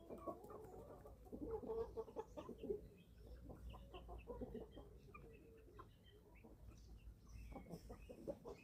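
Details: Young chickens, eleven weeks old, on a small family farm in Germany at feeding time, giving dense overlapping low clucks and soft murmuring calls, with scattered higher chirps and pecking or rustling noises throughout.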